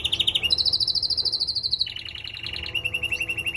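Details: Trained male canary sings a quick sequence of rolling trills, jumping from a middle roll up to a higher, denser one, then dropping to a lower steady pulsing tour.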